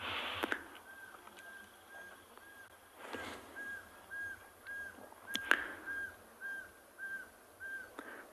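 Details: A Pearl-spotted Owlet calls near a leopard sighting on an evening safari drive in South Africa, 11 April 2022, giving a long, even series of clear whistled notes, about two per second, over a soft hush with sharp knocks; a second owlet answers distantly.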